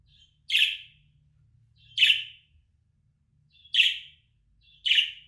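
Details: Four rasping budgerigar contact calls at roughly 1.5-second intervals, used to call back an escaped bird, with a quiet low hum behind them.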